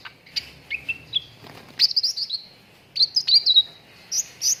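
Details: Ruby-throated bulbul (cucak ranting) song used as a lure to make contest birds sing: a series of short whistled notes and sharp chirps, some rising and some falling, in two bursts separated by a brief pause.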